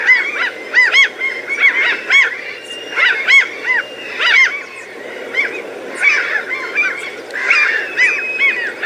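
Several gulls give harsh, arching, yelping calls in quick overlapping bursts.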